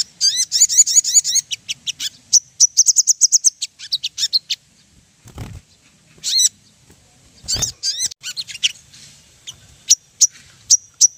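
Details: Ruby-throated bulbul song used as a lure so birds start singing: fast trilled chirps in the first few seconds, then sparse sharp notes separated by silences, with two low thumps.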